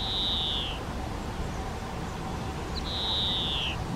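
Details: Spotted flycatcher family at a nest box on a garden shed wall, adults delivering flying insects to the young; two sustained high hissing notes, each under a second and slightly falling, separated by a quiet gap.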